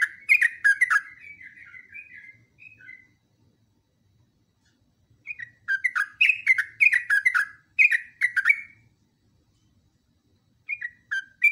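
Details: Continuous song of a yellow-vented bulbul used for training other birds: bursts of liquid, bubbling whistled notes, then a quieter pause before another rapid chattering run and a short final phrase.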